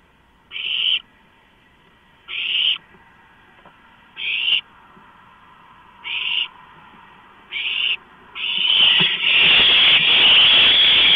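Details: Owl chicks clamour at a food delivery of a large rodent, March 2015. Short rasping hisses recur roughly every two seconds, then merge into one continuous loud screeching hiss.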